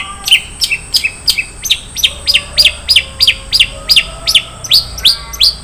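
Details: Long-tailed shrike singing isian mewah fill: rapid, fairly even string of sharp chirps, around three per second, some dropping in pitch, others higher and clipped.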